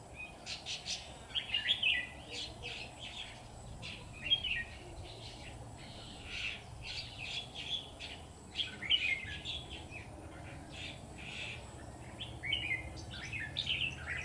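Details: Red-whiskered bulbul decoy in a trap cage, calling repeatedly: scratchy warbles and sharp chirps in bursts over about fourteen seconds, with sharp clicking noises throughout.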